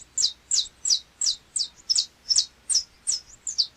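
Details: Saffron Finch, the canário-da-terra of Brazil, in a playback recording: ten sharp, high downslurred chip notes spaced roughly every 0.4 seconds, clean and even, with a quiet background.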